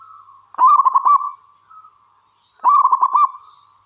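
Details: Local wild-type zebra dove, an active singer used as a lure to draw other doves into song, gives two mid-pitched rolling coo phrases about two seconds apart, each a burst of rapid beaded notes trailing into a soft hum.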